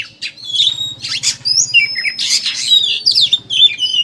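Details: Oriental magpie-robin chattering song used as a lure to make other birds sing openly: dense, fast, varied whistles and harsh squawky notes, with rapid slurred phrases and short buzzy bursts packed together without pause.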